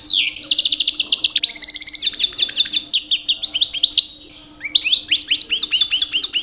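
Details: Two-year-old European goldfinch singing loudly in the mating season to attract females: fast rolling trills and repeated sliding notes, a brief lull, then bright chirping phrases resume over a low hum.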